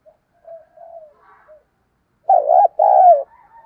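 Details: Excited cooing of a decoy spotted dove: a few soft, low murmured notes, then a loud double coo, the second part longer and falling slightly.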